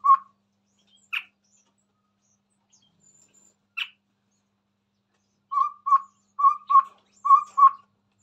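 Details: Singing chestnut-rumped babbler recorded near a phone. One low hoot and two sharp higher chip calls spaced apart, followed by a steady series of paired low hollow hoots.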